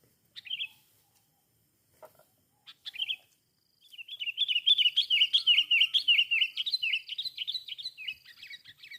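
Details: Sooty-headed bulbul singing a long run of rapid, chattering, warbled notes that rise and fall. Before the run come a few short isolated chirps, and a man calls out just after.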